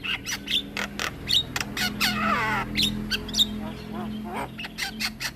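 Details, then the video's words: Black-winged myna in full, long rolling song, kept as a master for training other myna birds: rapid clicks and sharp notes with a harsh descending rattle in the middle, over a steady low hum. "Jalak Kebo Gacor Ngeroll Panjang Cocok Untuk Masteran Segala Jenis Burung Jalak"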